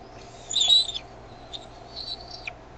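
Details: Decorah bald eaglets on a May 2015 evening during a food delivery by the mother; one loud, high chittering whistle followed by softer, thin peeps and short slurred notes.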